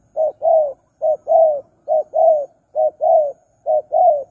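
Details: Spotted dove calling, a recording used as a lure for wild doves: low mellow paired coos, a short note then a longer drawn-out one, five pairs at a steady pace, about one pair per second, in a quiet setting.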